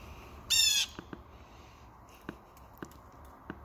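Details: A blue jay in a tree or bush outside a bedroom window, where jays wait for peanuts, gives one loud, harsh, nasal squawk lasting about a third of a second, followed by a few faint, sharp clicks in a quiet background.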